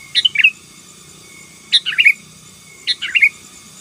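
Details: Three bubbly phrases from a sooty-headed bulbul singing 'gacor' to dominate rivals, each a quick tumble of chirpy, liquid notes dropping in pitch, spaced about a second apart.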